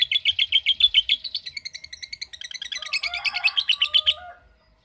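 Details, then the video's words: Lovebird 'ngekek' trill in reply to a calling recording, quick high chattering notes that shift in pitch midway, with softer lower whistles mixed in before the sound cuts off. "Love Bird Ngetik Cara Cepat Memanggil Love Bird Agar Ngekek Panjang"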